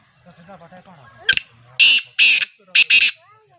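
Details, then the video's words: Teetar, or partridge, giving a series of loud, raspy, broadband notes, one pair close together, after a stretch of quiet human speech and a sharp click. "TEETAR AWAAZ"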